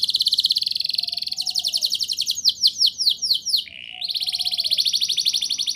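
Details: Domestic canary in full rolling ngerol nembak song for prompting young birds: long fast bright trill, a cascade of descending slurred notes, a brief lower buzz, then the high trill resumes.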